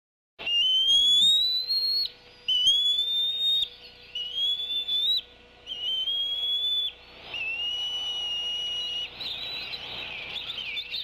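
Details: Bald eagle mother at a nest under a webcam at Decorah, giving her 'whistling tea kettle' sound as the father brings a fish: a series of high, thin whistled notes, each rising slightly, repeated about every one to two seconds, then a longer, buzzier stretch.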